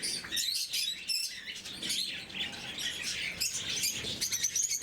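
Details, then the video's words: Several blue-mutation pet lovebirds at their morning feeding, giving a busy stream of shrill chirps and squeaks that overlap constantly, with short thin whistled notes and some faint rustling. "Попуги неразлучники, утреннее кормление. Голубая мутация"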